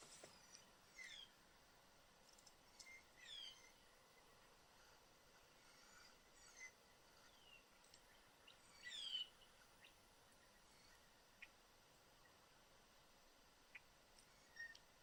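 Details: Several blue jays, a whole family perched together in a yard tree in Southern Ontario, Canada, give scattered calls: short harsh downslurred notes and brief chirps spaced irregularly over a steady background hiss, loudest around the middle.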